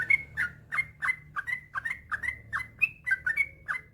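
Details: Long rapid-fire 'ropel panjang' song of a yellow-vented bulbul, recorded as training material to get other bulbuls singing: brisk, bubbling whistled notes that swoop up and down, delivered about three to four per second without pause.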